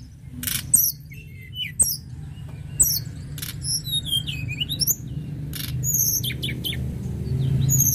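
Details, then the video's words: Lark song used to rouse other birds: bursts of high sharp chirps and down-slurred whistles, delivered in quick scattered phrases, with loud clicks between them and a steady low rumble behind. "Tledekan gunung gacor"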